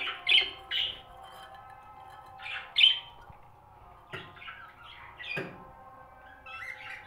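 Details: Breeding budgerigars give short, harsh squawks and scratchy chirps, a few every couple of seconds.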